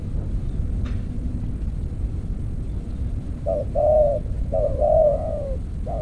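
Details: During decoy trapping with an earthen trap cage, a spotted dove gives a couple of soft, low coo phrases, short notes leading into a longer gently falling coo, after a quiet start with faint rumble.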